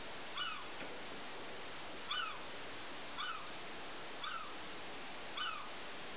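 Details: Gulls (seagulls) waiting on an urban rooftop in Saco, Maine, USA, for tossed bread, in mating season, give short, arched, slightly nasal calls about once a second or two, five in all, over a steady wash of wind or surf.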